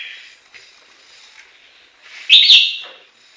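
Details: Chinese hwamei singing in Japan: after a faint warbling passage, one sudden loud, bright whistled phrase rings out and fades.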